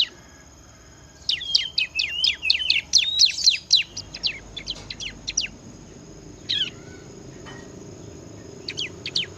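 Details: Bar-winged prinia (ciblek) singing in the lively 'gacor ngebren' style: a rapid four-second burst of high, sharp, chirping notes, then scattered single chips and a short closing flurry, over a faint steady high-pitched hum.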